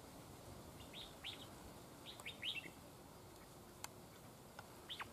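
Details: Wild red-whiskered bulbuls clashing at a trap cage, one bird chasing and attacking another outside; clusters of quick, sharply rising and falling chirped notes come in uneven bursts, with soft noisy background and an occasional click.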